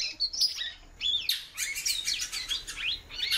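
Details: Female great-billed seed-finch calling often, giving bright whistled notes that sweep up then down, delivered in rapid clusters over dense overlapping chirping from other birds.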